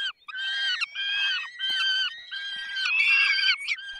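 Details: Peregrine falcon calling at a feeding in the Barycz Valley on 20 May 2021 at 10:22. Loud, grating, long-drawn wails come in about five near-continuous bursts, each lasting roughly half a second to a second.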